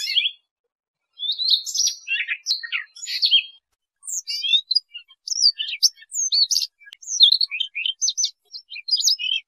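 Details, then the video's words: Song of a Siberian rubythroat, a flycatcher-family bird whose voice serves as a trapping lure: dense high warbling with rapid squeaky notes, twitters and bent whistles, delivered in clustered phrases separated by short gaps, against a clean, quiet background. "Tiếng chim Oanh Cổ Đỏ"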